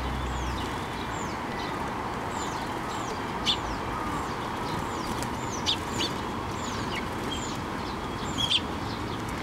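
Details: Several sparrows at a Tenmangu shrine, 23 June 2024, flying onto a hand for food. Repeated arched, high chirps come roughly every second, with occasional sharper, louder notes, over a constant low hum of background noise.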